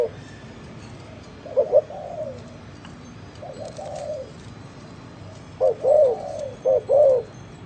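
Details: Spotted dove giving a distinctive, unusual cooing song: low hollow coos in short groups of two to four notes, with pauses between phrases and faint background hiss.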